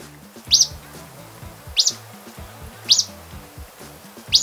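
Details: Acadian Flycatcher (Empidonax virescens), a forest understory bird in Costa Rica, gives its mostly loud call: sharp, upward-snapped 'peek' notes about once every second, over soft background music.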